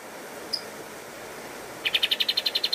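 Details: Master song of a pied triller for training cage birds: one faint thin note, silence, then a tight burst of about eleven rapid, evenly repeated high notes.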